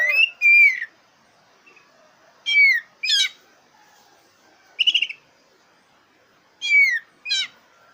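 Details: Lure song of a black-breasted oriental magpie-robin for contest birds: paired falling whistles and sharp downslurred notes, with a short stuttered trill, spaced by pauses of one to two seconds.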